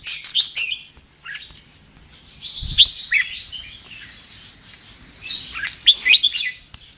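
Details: Red-whiskered bulbul singing double-phrase and 'rik' style song: several separate whistled, warbling phrases spaced a second or two apart, mixed with sharp clicks, a man's encouraging voice and a low thump.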